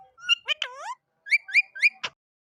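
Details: Rose-ringed parakeet giving short, harsh, harmonic calls: an opening burst of sharp notes, then a pair of long down-slurred squawks, three quick rising chirps, and a final abrupt click. Quiet background.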